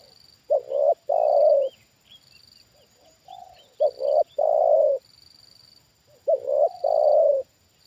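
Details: Decoy spotted dove reacting to a wild bird brought down again for a second time. Three loud low coo phrases come about three seconds apart, each a short note then a long rolling coo. Brief high chirps are heard in between, with a pulsing high whine behind.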